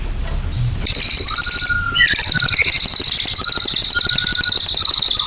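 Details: Cililin song starting after a quiet, low rumbling opening: a high, rapid, pulsed chattering trill with short lower whistled notes threaded through.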